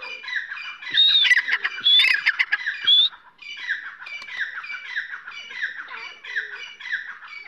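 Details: Grey francolin (dakhni teetar) giving loud scratchy calls, with a few bright whistled notes and clicky accents early on, then a steady run of rasping, downslurred phrases repeated about once a second.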